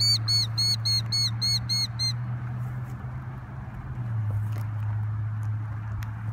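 A Killdeer gives a rapid, shrill run of high 'dee' notes, about three or four a second, for two seconds, over a steady low engine-like hum.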